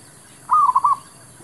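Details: Zebra dove lure call in a trapping setting: one clear phrase of four soft, rolling coo notes lasting half a second, otherwise quiet.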